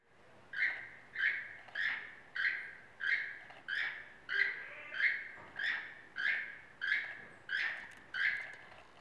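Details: A keel-billed toucan at Tracy Aviary, Salt Lake City, gives a dry, croaking, frog-like call, about a dozen harsh notes repeated in a steady series over a faint background hum.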